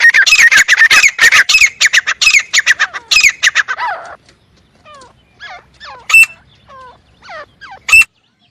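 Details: Grey francolin: four seconds of loud, dense, harsh rapid calling, then quieter scattered downslurred notes with two sharp loud accents.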